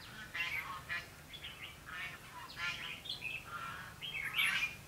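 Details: Red-whiskered bulbul decoy singing during a trapping session on 21 November 2016: bright chattering, slurred whistled phrases in bursts about every half second, with background hiss.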